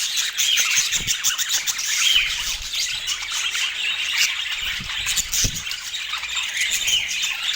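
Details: High, scratchy budgerigar warbling and chirping runs on without a break, with a few soft low knocks beneath the chatter.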